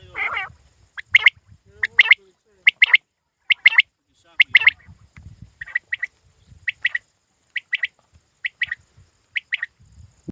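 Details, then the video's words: Hunting quail calling: sharp, bright chirps, often in quick pairs, repeated roughly once a second across the recording, with faint low rustling and handling noise between calls. "Shikari batair ki awaz"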